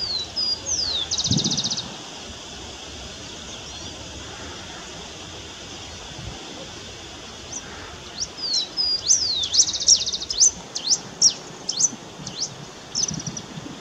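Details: Black-and-rufous warbling finch: a few high sweeping notes and a brief buzzy burst at the start, then a quiet stretch, followed by a dense, rapid series of thin, high, slurred notes with buzzy bits, over steady outdoor background noise.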